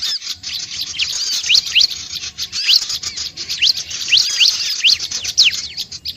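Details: Bar-winged prinia calls used to bring other birds close: loud, thin rising chirps given singly or in pairs at irregular intervals over continuous high twitter.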